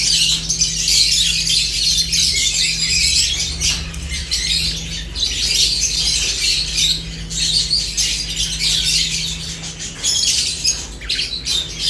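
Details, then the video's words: A group of lovebirds chirping as they eat: dense, shrill, overlapping chirps and squawks in bursts, some wing flutter-like clicks, over a steady low hum. "Lovebirds unique colors eating and chirps sounds"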